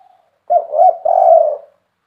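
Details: Spotted dove with a big voice singing the KUK 3 style: a brief rising coo followed by one sustained, mellow, slightly falling coo.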